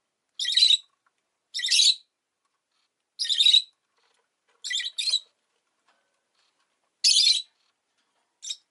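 A rosy-faced lovebird gives six harsh, high, buzzy chirps, each under half a second, spaced one to two seconds apart in a quiet room.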